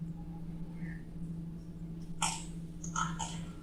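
Spotted owlet giving a few harsh, screechy chattering bursts close together, played over a steady low room hum.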